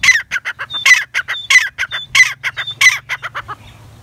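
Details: Black francolin calling: a loud, rapid series of harsh, clucking notes, rising in bursts around twice a second, interspersed with short thin whistled tones, ending with a faint fading trail.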